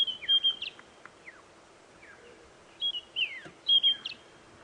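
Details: White-browed Scrub Robin, a skulker heard but unseen in dense thicket on an early-morning safari drive (October 10), gives high, clear whistled phrases with sweeping slurred notes in two bursts a few seconds apart over faint hiss.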